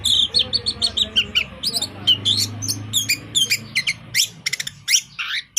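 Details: Orange-headed thrush kept as a cage bird singing energetically: a rapid run of high, sharp whistled notes and chirps, then dense clustered bursts of clipped notes near the end, over a low background rumble.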